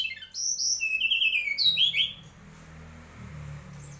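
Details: A mangrove whistler (Pachycephala cinerea) sings a quick run of clear, high whistled notes that rise and fall over two seconds, then fades to a low background hum.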